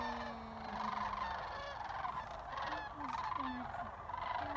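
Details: Sandhill cranes returning to Jasper Pulaski from feeding in nearby fields give a dense, overlapping chorus of rolling, trumpeting calls, many birds at once in steady waves, with a faint low hum underneath.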